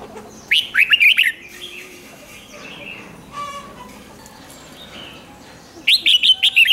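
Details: Song of a red-whiskered bulbul meant to stir caged birds: an opening run of rapid fluty whistles, then soft scattered calls and a brief rattle, and a closing burst of five bright notes.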